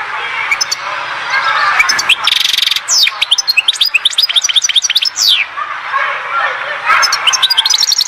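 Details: Goldfinch from Oued Zhour, Skikda, singing a lively twittering song. It includes a buzzy rattle, runs of high chirps and a sweeping slurred note, over a low continuous hiss.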